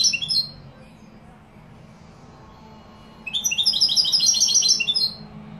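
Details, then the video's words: European goldfinch from Morocco singing in the Málaga style: a short high twittering burst, a pause of near silence, then a longer run of rapid bright trilled notes with faint low hum beneath. "jilguero malaga maroc. أداء روعة ماشاء الله تغريد كوبيا ملقا"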